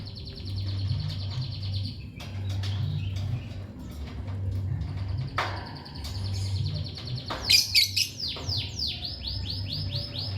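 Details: Lovebird chirping: a buzzy high trill at the start, scattered clicks, then a cluster of sharp chirps and a fast run of descending high chirps near the end, over a low hum.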